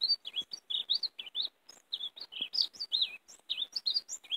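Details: European greenfinch singing while used to lure and catch other greenfinches: rapid twittering of short chirps and warbled notes, bunched in quick bursts with brief gaps, on a quiet background.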